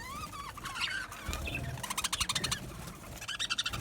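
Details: Budgies in an aviary colony, Australian parrots, giving short whistled chirps and warbles with rapid clicking trills, rising and falling notes scattered over a few seconds.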